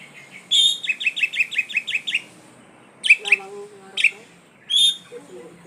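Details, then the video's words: Poci-variety Oriental magpie-robin in vigorous song: a long, fast series of sharp repeated notes, followed by separate short bursts and a high whistled note. Faint lower warbles sound between the phrases. "Kacer poci gacor"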